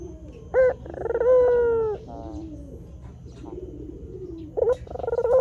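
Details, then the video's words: White Barbary dove cooing for luring wild doves: a short sharp note, rolled trill and long drawn coo, then a quieter pause before the next phrase begins. "Suara Burung Puter Gacor TOP Untuk Masteran Dan Pikat Langsung Nyaut"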